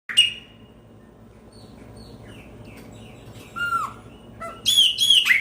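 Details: Chopi blackbird singing: after a sharp opening note and a long near-silent stretch, scattered thin chips build into a loud burst of ringing, downslurred and bright whistled phrases at the end.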